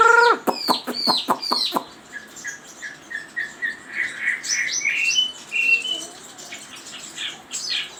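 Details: Chinese hwamei song: a burst of sharp clicks, then a string of clear whistled notes, each a little higher than the last, followed by scattered high thin notes.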